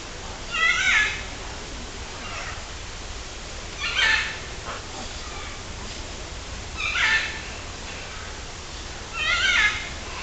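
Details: Macaws in the aviary at Parque das Aves near Foz do Iguaçu, Paraná, Brazil, moving around on poles, climbing fences with their beaks and grooming. Four harsh, raspy squawks come about three seconds apart over a steady hiss.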